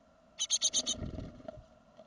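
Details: Second-brood great tit fledging from the nest, 2016; a single burst of five rapid, harsh, hissing rasps, followed by low rumbling handling noise.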